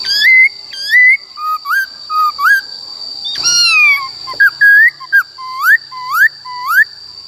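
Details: Black-throated laughingthrush in 'wild voice' style, used to train young and wild-caught birds: loud, clear whistled notes, some rising and some slurred, in short phrases with a few pauses, over a steady high electronic tone.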